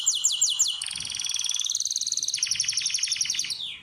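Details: In a canary breeding room: four quick descending chirps followed by a rapid rolling trill that steps down in pitch into a slower, choppier pulsed section before ending on a falling note.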